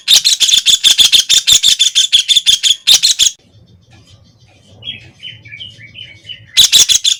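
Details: Grating, rapid-fire chatter from a white-throated kingfisher (Halcyon smyrnensis) for three seconds, then a lull with soft, high twittering from another bird and low background rumble, before the harsh rattle starts again.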